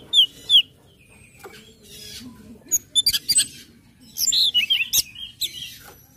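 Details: Orange-headed thrush song meant to prompt other birds to sing: quick high whistled notes in bursts, sharp chips and a tumbling jumble of rich, varied phrases, with a gap of quieter notes between.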